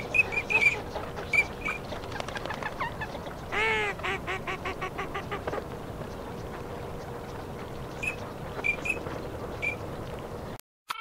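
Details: Teal giving high whistled chirps, with a burst of nasal, rattling quacks in the middle, then more scattered whistles before the sound cuts off.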